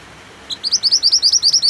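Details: Close, loud white-eye (mantenan) phrase with rain sounds: one high chip, then a rapid evenly spaced series of about ten sharp upslurred whistles, roughly six per second.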